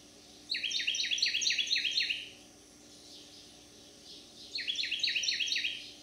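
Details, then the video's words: Summer song of a male Carolina wren in a St. Louis County, Missouri backyard, July 30, 2022, sung daily: a long run of rapid repeated ringing phrases, a pause of about two seconds, then another burst, faint hum underneath. "Carolina wren singing his heart out for joy"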